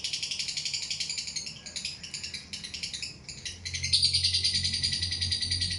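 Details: Lovebird's long ngekek trill, rapid harsh chattering pulses, fading slightly midway then rising again into a shrill steady run, with a low hum underneath.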